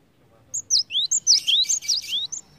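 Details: Song of a cinereous tit, used to encourage other birds to sing: high whistles alternating with rising sweeps and downslurs, a few phrases partly blurred by a rough noisy burst midway.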